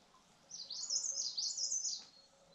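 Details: White-tailed robin (white-tailed blue robin) song: a high, thin warbled phrase of quick rising and falling whistled notes lasting about one and a half seconds over a quiet background.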